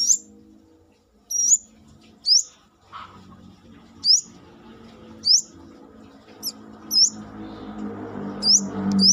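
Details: Brown-throated sunbird, uncaged, calling actively with crisp, high upward-flicking chirps spaced about a second apart over faint low background noise.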